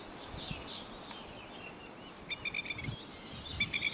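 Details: Neighbourhood lapwings, adults with young, give faint calls at first, then clear, piercing, stuttering notes in two quick runs near the end over low ambient noise.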